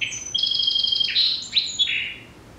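A Song Sparrow sings a brief, high phrase: a long clear whistled note, then a few quick down-slurred notes that fade out. No other sounds.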